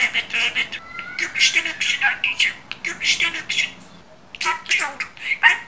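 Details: Budgerigar, a skilled talking pet, chattering indoors in rhythmic, scratchy, word-like syllables. A thin whistled upslur appears early on, and a brief lull occurs before the chatter resumes.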